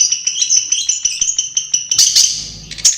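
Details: Long-tailed shrike in natural habitat giving a fast run of scratchy, chattering song notes with sharp ticks, ending in a louder rattling burst.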